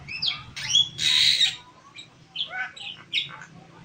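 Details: Black-winged myna, a songbird in a cage, giving loud harsh squawks and sliding whistled notes, then a run of short, scratchy chattering phrases with brief pauses between them.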